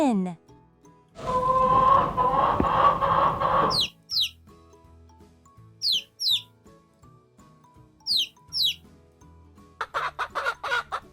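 A chicken gives a long, loud, harsh crow-like call, then sharp high peeping chirps and a quick run of clucks at the end, over soft background music.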